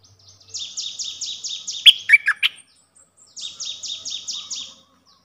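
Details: Streak-eared bulbul: a quick train of high, falling notes broken by four loud, sharp chirps, then a second matching train after a short silence.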